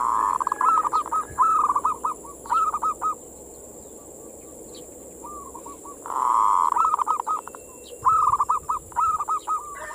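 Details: Zebra dove (perkutut) cooing song, manggung style, used as a lure to stimulate local doves: phrases of rapid, even, low cooing notes in short trills, repeated several times with pauses, faint clicking and rustling in the background.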